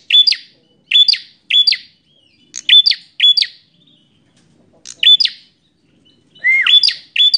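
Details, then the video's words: Bar-winged prinia in fighting mood: rapid runs of sharp buzzy chips in groups of two or three, a short gap, then a whistled falling note leading into more chips at the end. "Prenjak Petarung Gacor Emosian"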